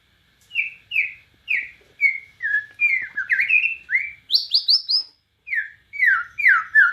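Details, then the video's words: Singing white-rumped shama of the Borneo form: a varied series of clear whistled phrases, slurred down and up, about two or three notes per second, ending with higher sharp notes and falling whistles. "SUARA BURUNG | Murai Batu Borneo Gacor Nembak Cililin"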